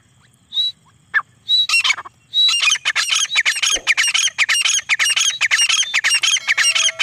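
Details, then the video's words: Black francolin (desi teetar) call: after a few sparse thin notes, a loud, rasping, squawky series of rapid harsh notes bursts out and runs continuously to the end. "Desi Teetar ki boli || Desi teetar ki Awaz ||Teetar calling"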